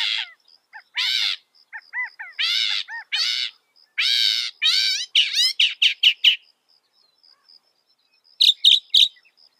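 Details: Northern mockingbird, a mimic of other birds and animals, with loud harsh buzzy notes, falling whistles and rapid phrases, ending in a few sharp clicks after a pause; faint steady high hum.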